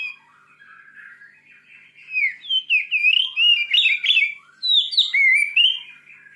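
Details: White-rumped shama in forceful song to stir a rival shama: soft murmured notes build into loud, varied whistled phrases with quick trills and sharp upward sweeps, repeated in bursts.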